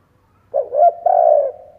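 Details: Spotted dove kept as a decoy in Vietnam, calling to lure doves: one soft, low coo-coo-croooo phrase, the last note long and level, over a quiet background.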